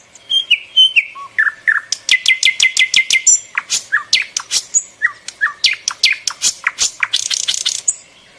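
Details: Birds chirping loudly and steadily: rapid repeated sharp notes in runs of about six per second, mixed with lower slurred whistles and a closing burst of dense high buzzy notes.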